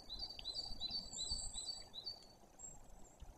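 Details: A white-tailed eagle at a nest in Woziwoda, Bory Tucholskie, calls as a breeding pair reacts to an intruding adult eagle, the incubating female defending the nest: a fast series of high, yelping notes, about three per second, trailing off, over steady wind noise.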